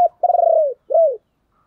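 A dove gives two low, mellow coos, the first long and slightly throbbing, the second shorter with a rise then fall; nothing else is heard.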